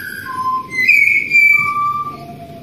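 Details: Clear flute-like phrase from a wild Australian pied butcherbird: a high note dropping to a lower one, a long sustained high whistle, then two descending held tones, set against faint low rumble.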